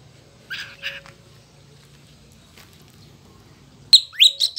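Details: A cockatiel sings, whistling in short bursts, then sweeping into bright, rising whistled notes.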